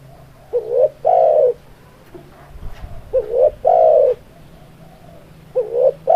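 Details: Spotted dove (tekukur) song: repeated coo phrases, each a short rising double note followed by a longer, louder descending coo, about every 2.5 seconds, over a low steady hum.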